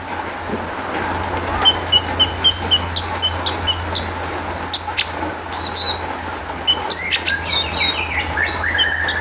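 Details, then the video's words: Long-tailed shrike song used to lure other shrikes into singing: a run of short level whistles repeated about twice a second, then sharp clicks and squeaky notes ending in a drawn whistle, over a low hum. "kicau cendet gacor MEWAH ISIAN buat PANCINGAN CENDET AGAR BUNYI jadikan BURUNG PENTET NYAUT"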